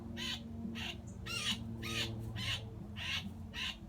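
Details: A blue jay, grabbed mid-flight by a hawk and pinned on the ground in a front yard while being plucked, screams harshly in distress until dead: loud raspy cries repeated about twice a second over a low rumbling hum.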